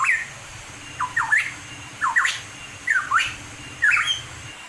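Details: A pitohui in the wild in the mountains of East Java gives short, loud whistled notes in quick bursts, some sliding downward and others rising, repeated about once a second over a low steady hum.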